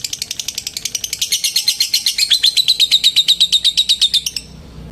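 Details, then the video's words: Lovebird giving its long ngekek trill to call a rival: a fast, regular chain of high, piercing chips that swells in loudness midway, then stops abruptly, leaving quiet room noise. "Suara Burung LOVEBIRD Memanggil LAWAN Bikin LB Lain ikut NGETIK SAMBUNG NGEKEK. LABET NGETIK PANJANG"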